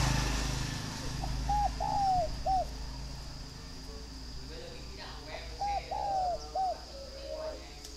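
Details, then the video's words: Spotted dove of northern Vietnam, held at a Ba Vì, Hanoi breeding farm, repeating a three-part phrase twice: a short coo, a longer falling coo, a clipped final note, with low rumbling noise early on. "chim cu gáy hay miền bắc"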